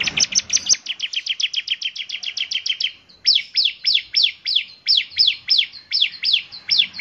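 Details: Bar-winged prinia singing strongly; its characteristic voice reportedly makes others join in. A very rapid chattering trill of paired high notes is followed by a regular series of descending, sharply slurred chirps.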